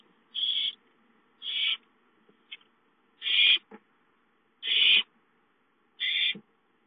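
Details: ['Hungry owlets at home on 5-9-13: five loud, rasping hiss-screeches, each about a third of a second, spaced irregularly around one to one and a half seconds apart, with faint clicks between them.']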